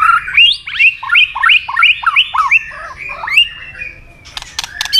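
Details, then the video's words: Tail-snapping white-rumped shama in fighting song, used to rouse aggression: about ten quick repeated hooked whistles in a steady rhythm, then a fading slur and a burst of sharp clicks. "chòe lửa tạch đuôi âm kép kích lửa hiệu quả.dìu lửa chuyền mùa 2 hót đấu lên lửa cực nhanh"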